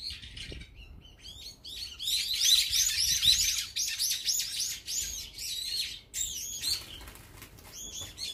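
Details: Brown-eared bulbuls feeding together as a group, with a dense overlapping chorus of high, arched chirps and squeaky notes that rise and fall quickly, louder in the middle and thinning toward the end.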